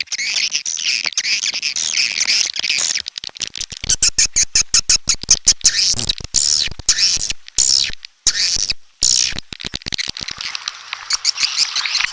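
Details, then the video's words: Red-nest edible-nest swiftlet lure sound: a continuous high, buzzy twittering chorus broken into quick, choppy chirp pulses, with a few short silent gaps around eight and nine seconds. "SUARA BURUNG WALET - Royal Wellness WALET SARANG MERAH"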